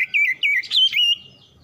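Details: Oriental magpie-robin, said to respond quickly by singing along: a short run of rich, warbled whistled notes that wobble up and down, ending in a longer level whistle that fades out, over a faint low background rumble.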